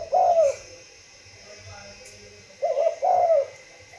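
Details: Spotted dove from a breeding facility giving two bursts of deep coos, each a short note then a longer falling one, separated by a quiet gap with a faint low hum.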